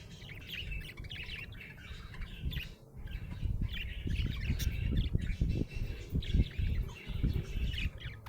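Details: Happy budgerigar chirping, a busy run of squawky warbling notes around the upper-middle range with short gaps, over a steady low rumble and thumping handling noise.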